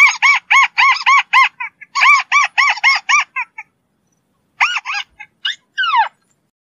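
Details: White-browed crake (Poliolimnas cinereus) gives a rapid series of loud, nasal, chattering notes, about four per second, ending in a few scattered squeaky calls and a falling note.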